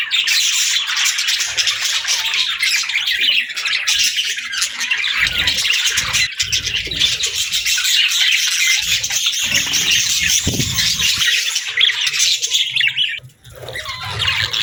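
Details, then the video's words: Budgerigars singing and chirping: dense, continuous warbling chatter of many high twittering and scratchy notes, nonstop throughout, with a brief dip near the end before resuming. "Budgie Singing & Chirping Sounds"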